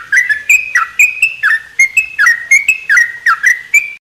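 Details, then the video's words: A sooty-headed bulbul in a mini aviary on a morning sings rich whistled phrases, notes swooping down and levelling, repeated quickly and loudly throughout. "kicauan terukcuk diaviary."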